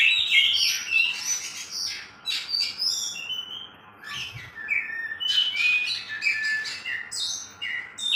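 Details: Two caged oriental magpie-robins competing in song: a loud, varied stream of sharp whistles, chirps and slurred high notes with quick overlapping phrases, over a steady low hum.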